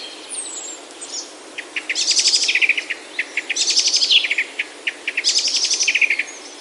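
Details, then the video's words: Loud birdsong in a Himalayan oak forest in Himachal, India: three bursts of rapid ticking notes, each dropping lower as it ends, spaced about every one and a half seconds, with faint twitters behind. "Himalayan Oaks Alive with Birdsong"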